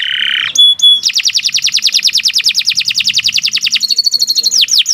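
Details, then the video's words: Canary song recorded to train captive birds to sing: a buzzy note and two short pure whistles, then a long steady rapid trill of repeated notes ending in falling sweeps. "Kicau Burung Kenari 183 II LUAR BIASA GACOR PANJANG Cocok untuk Masteran"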